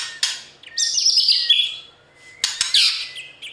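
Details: White-rumped shama singing in the morning, kept to train newly caught birds to sing fiercely for competition; two bursts of rich, rapid high warbling with scratchy notes and a thin rising whistle between them, separated by near silence.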